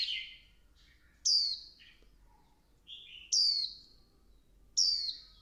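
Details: Three sharp, high falling notes from a female Swinhoe's white-eye egging the male on, preceded and interspersed by softer, lower twittering phrases.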